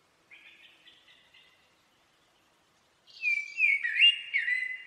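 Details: Common blackbird song. A few faint, soft notes come first, then a silence. A loud fluting, warbling phrase with sliding notes follows, closing in a scratchy high-pitched twitter.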